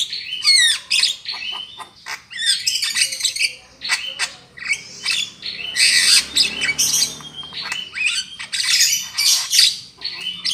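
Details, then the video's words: Javan myna calling as a trapping lure. A dense, chattering run of harsh squawks, clicks and short whistles goes on almost without a break, rising into louder raspy bursts. "SUARA BURUNG JALAK KEBU"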